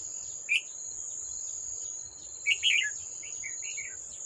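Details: Old wild red-whiskered bulbul near a trap, 18 July 2024, battling a decoy bird. A single sharp chirp is followed by a bubbly, descending warble of several whistled notes and a softer tail, over a persistent shrill insect drone.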